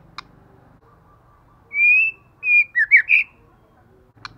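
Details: Female white-rumped shama calling to provoke males into fighting: a few clear, high whistled notes, one long and steady, then a short wavering whistle and two brief trills, with faint clicks before and after.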